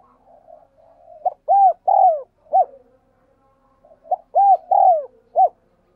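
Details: A spotted dove's thúc gù, used to train decoys and prompt wild doves to call: low murmurs leading into two phrases of four hooting coo notes, a drawn-out falling third note in each, spaced about three seconds apart.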